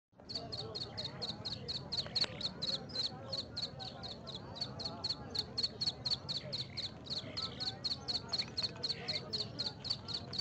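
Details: Black francolin chicks, from the Sindh and Punjab region, give an excited call. It is a rapid, steady train of short, high cheeping notes, about two per second, with faint low murmuring underneath.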